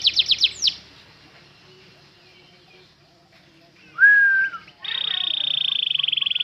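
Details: Canary long-roll song: a quick burst of descending high notes, a quiet pause, a single clear whistled note with a slight downward bend, then a steady, very rapid high buzzing trill held for almost two seconds.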